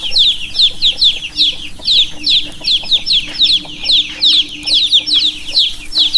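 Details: Several baby chicks peep continuously, a dense run of shrill, falling chirps, often two or three bunched together, with a soft constant hum underneath.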